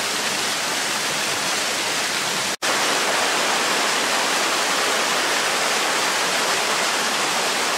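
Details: Loud, even rushing of a stream or waterfall fills every moment, broken once by a split-second dropout.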